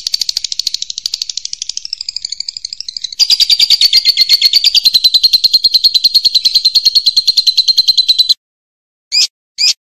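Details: Champion lovebird with a loud, pleasant voice, kept as a training model for other birds, delivering a long continuous shrill chatter of rapid high pulses that grows louder midway, then stops, followed by two short chirps.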